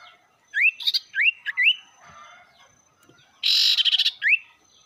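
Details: Sirtu singing as a provocation lure for rivals: three bright upslurred whistles in quick succession, a pause, then a harsh buzzy trill and another rising whistle.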